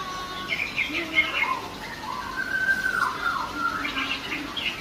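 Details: Female greater green leafbird singing lively, with varied whistled and warbled phrases that rise and fall in a mid-high register. The phrases come in bursts with short gaps, over a steady background hiss.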